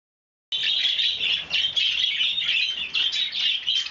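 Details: Budgerigars recorded on 30 January 2011 at breakfast time, giving continuous busy high chattering and warbling: overlapping squeaky chirps and rasps with no pauses after a brief silent start.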